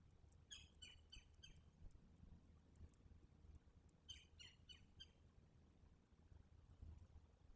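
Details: At a Selati nest on the evening of 9/7/23, with both parents in for the night with their eaglet, a Verreaux's eagle gives two quick bursts of about four high, sharp yelping notes, a few seconds apart, over a steady low wind rumble.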